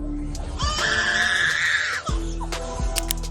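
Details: Lyrebird, a mostly ground-dwelling Australian bird, giving a drawn-out, wavering wail like a crying baby lasting over a second, announcing its presence, with background music throughout.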